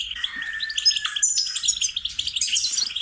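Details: Goldfinch song for training songbirds: a downslurred whistle opening into fast tinkling twitters and buzzy chatter, evenly sustained.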